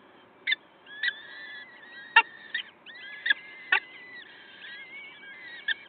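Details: Peregrine falcon at the nest, Wakefield, early morning of 5 May 2021: long whining wails that bend and rise, punctuated by sharp knocks and scratching sounds, against a quiet background.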